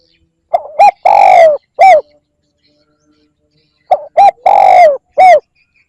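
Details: Spotted dove call used to lure birds, given twice: a short hooked coo, a higher note, a long loud falling coo, then a final clipped coo, with a pause of about two seconds between phrases.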